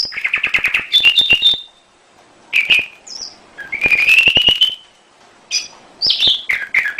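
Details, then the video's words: Canary singing in a master recording for training other birds, with rapid buzzy trills, rising slurred whistles and short high notes in bursts separated by brief pauses, sharp clicks mixed in. "Masteran Suara Kenari"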